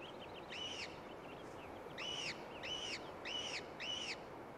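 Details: Gyrfalcon brood at a cliff-ledge nest, downy chicks fed by a gray female with ptarmigan; loud arched squeals, one then a run of four evenly spaced, with faint thin whistles between and a constant hiss.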